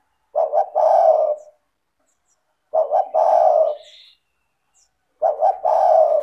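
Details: Spotted dove in frequent calling form, used as a lure recording to prompt lazy doves to call: three low, husky coo phrases, each a quick double note then a long drawn-out coo, repeated about every two and a half seconds in quiet.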